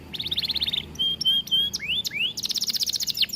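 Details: Atlantic canary in an aviary singing: rapid high repeated trills, steady whistled notes and rising slurs, closing in a fast, dense, buzzy trill, loud and clear.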